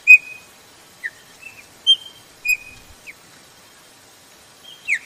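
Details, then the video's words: Short whistled notes from a female chopi blackbird calling to excite males. Some are level and sustained, others slide downward, given irregularly, followed by a long pause before a final falling note. "PIADO DE FÊMEA PARA DEIXAR SEU PÁSSARO PRETO LOUCO"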